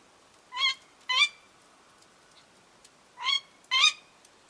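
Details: A female tawny owl, recorded in the woods during an autumn stay from September to December, gives four harsh, screechy kee-wick cries in two close pairs about half a second apart, over a quiet background hiss.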